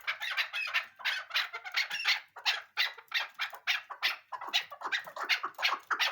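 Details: Rough, raspy chuck notes from a female chukar come in a fast pulsing series, rising and falling in loudness over six seconds.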